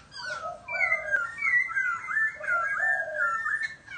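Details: Laughingthrush singing a run of clear, slurred whistles that glide up and down, with lower rounded notes underneath, delivered in quick overlapping phrases about four seconds long.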